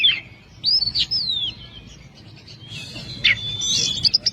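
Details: Oriental magpie-robin (kacer) training song in the 'gacor' style: a few loud slurred whistles and arching notes, then a quieter gap and a burst of high, thin, sweeping whistles and chips over a steady low background rumble.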